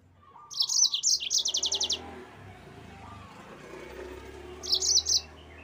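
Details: Master song of a yellow-fronted canary for cage-bird training: a rapid run of high, evenly repeated notes, then a long quiet stretch over rumbling background noise, and a brief closing burst of chirps.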